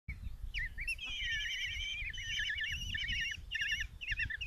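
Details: Five Common Kestrel chicks in a nest box at Tiszalök, Hungary, June 27, 2024, begging as their mother brings a mouse for breakfast: overlapping wavering, trilled squeals, rising and falling in long unbroken strings, with low rumbling background noise.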